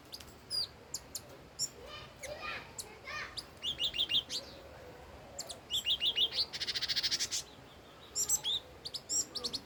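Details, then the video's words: An old wild red-whiskered bulbul gives a lively song of rapid whistled note runs, a dense buzzing trill of about a second midway, and bright chirps scattered throughout, clear and loud. "Chim chi chi mào mồi già rừng hót tuyệt đỉnh"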